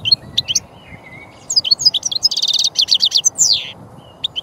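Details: European goldfinch (Carduelis carduelis), small and brightly patterned, partly migratory: lively, high, liquid twittering with fast buzzy trills and quick downslurred notes, building into a dense burst.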